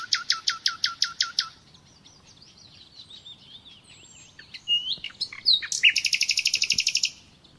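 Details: Natural nightingale song: a loud series of evenly spaced sharp repeated notes, soft varied twittering, then a fast, dense rattling trill lasting over a second.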